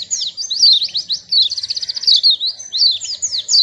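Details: A small white-eye sings sweetly, a rapid high twittering of looping whistled notes with a fast trill in the middle, continuous over the short phrase.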